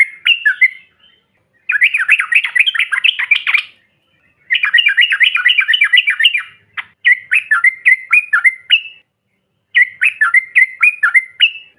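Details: Yellow-vented bulbul, bahan or ombyokan style call that provokes other birds: long rapid bursts of rolling, zigzag chattering notes alternating with runs of clearer dipping chirps, separated by short silences.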